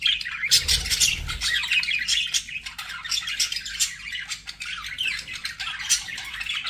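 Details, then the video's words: Pet budgerigars in an aviary chirping; a dense stream of rapid, scratchy chirps and squawky notes, high and bright, overlapping without pause from several birds, with a brief low thump near the start. "BUDGIE SOUNDS"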